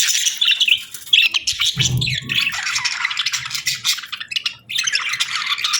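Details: Budgerigar pair in breeding season, bonding: dense, continuous chirping and warbling chatter, bright and scratchy, with a short low bumping noise near the middle.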